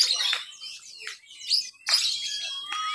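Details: Lovebird in a mixed-class practice singing contest in Papua, Indonesia, on Sunday 31 October 2021, giving its 'ngekek' song while clinging to cage bars: bursts of shrill, rapid, buzzy chatter with brief pauses and thin whistles.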